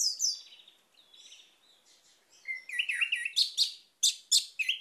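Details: Orange-headed thrush song, played to coax a silent bird into singing: a rich, varied run of high whistled and scratchy phrases, first sliding downward, then a brief lull, then loud rapid clear notes and buzzy chips repeated several times a second.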